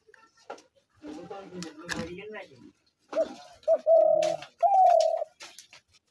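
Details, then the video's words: Spotted dove used as a trap lure: a human voice murmurs first, then short hoots and two extended coos follow, the last one higher and gliding downward. "ঘুঘু পাখির ডাক/Dove bird calls/gugu pakir dak/ dove trap sounds"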